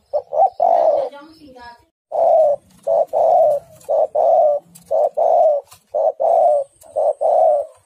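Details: Female spotted dove calls the male: a quick double note opens a steady series of about six short-then-long hooting coos, evenly spaced, with a faint thin whine in the background.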